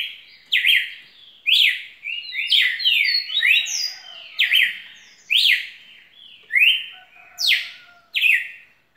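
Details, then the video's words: Lively song of a red-cowled cardinal: bright whistled notes that drop steeply then level off, delivered about once a second, with a busier overlapping stretch in the middle. "Galo de campina muito canto muita fibra"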